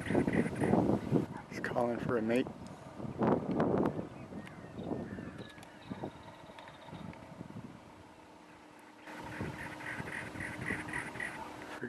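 A cactus wren gives a harsh, grating run of rapid chugging notes, clearest toward the end. A man talks over the first part.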